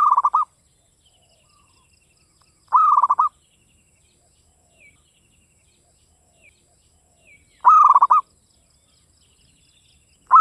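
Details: Local Javanese zebra dove singing with a crisp, dry voice; four brief rolling coo phrases of fast pulsed notes come about every two and a half seconds, with faint distant chirps in the pauses.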